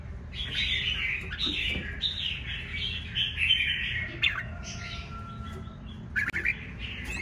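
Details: Wild-caught red-whiskered bulbul, kept in a cage for one week and said to fan out often, delivering a continuous run of bright warbled phrases that rise and fall, with a thin steady whistle near the end over a low room hum.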